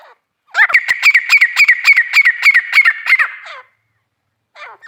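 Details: Female grey francolin producing a rapid rhythmic series of short harsh notes, about three or four each second for three seconds, then falling silent before a last faint note.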